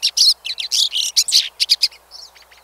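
A pine siskin gives a rapid, high twittering run of about a dozen buzzy, scratchy notes in two seconds, trailing off into softer chips.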